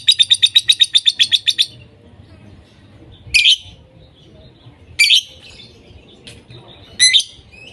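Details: Lovebirds calling continuously: a quick burst of about ten sharp high chirps, followed by three loud harsh screeches spaced over several seconds with quiet gaps between.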